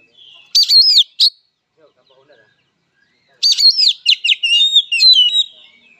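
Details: Kacer, the oriental magpie-robin, singing a fighter's song: a short loud whistled phrase and a clipped note, then after a quiet gap a longer run of slurred whistles and rasping chatter.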